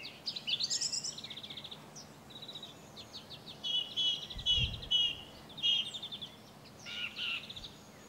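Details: Song thrush singing in France, adult with juvenile present: loud, clear phrases each repeated several times, fluty notes, rapid chattering trills and sharp whistles with short pauses, one soft low thump.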